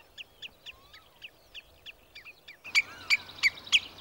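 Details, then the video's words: Common Redshank (Tringa totanus) in Sweden calling, warning and mating: a rapid series of sharp piping notes, about three a second, growing louder and harsher partway through, with Northern Lapwing in the background. "Rödbena / Tringa totanus / Common Redshank / ljud-sound"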